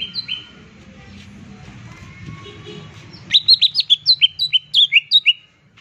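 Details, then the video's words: Green leafbird lure song for stirring a quiet bird into singing: after a few quiet notes and low background hum, a fast burst of about fifteen sharp, downward-slurred whistles repeated several per second. "PANCINGAN TEMBAKAN CUCAK IJO"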